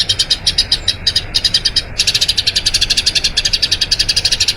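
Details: Eurasian tree sparrow delivering a long rolling song used to train other birds; choppy chirp groups at first, then a denser, continuous roll of sharp high notes through the second half.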